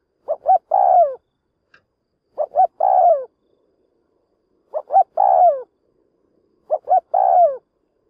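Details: Decoy spotted dove calling to lure wild doves toward a trap, four phrases about two seconds apart, each two quick coos and a long mellow coo falling in pitch, background quiet.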